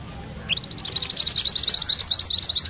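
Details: A mantenan kuning starts abruptly into its ngerol rolling song, a steady stream of fast, bright, high chirped notes lasting about two seconds, kept for training magpie-robins; quiet low rumble beneath.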